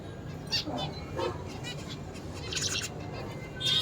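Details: A zebra finch, singing while eating, gives short bursts of nasal, buzzy notes over a low background hum.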